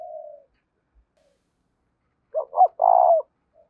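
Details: Spotted dove 'thúc' cooing used as a lure for wild doves; a soft coo opens, then after a pause comes a single loud phrase of two quick notes and a long hoarse coo.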